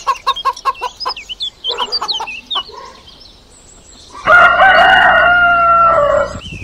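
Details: Farmyard chickens: quick clucks and small chirps, then a loud, sustained rooster crow lasting about two seconds.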